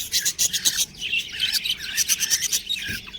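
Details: Baby budgerigars chirping in quick bursts of bright, scratchy chirps and little warbled notes, several birds overlapping, with brief pauses between clusters.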